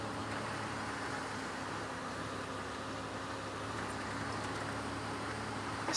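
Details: Constant broadband hum of a running vehicle engine with a faint murmur of voices, early morning on safari; no animal call.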